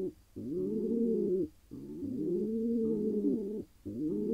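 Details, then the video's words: A wild pigeon male in Israel, happy to have found his mate, gives long low coos, the middle one drawn out for about two seconds, with short pauses between. "He got his lady: Pigeon male happy after finally finding a mate."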